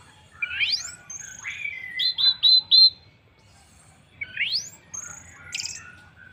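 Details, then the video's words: Orange-headed thrush song played to get other birds singing: a rising sweep, a high thin whistle, a flat note and four quick clipped notes, then another rising sweep and high notes. "pancingan Anis merah paling ampuh bikin burung lain ikut bunyi"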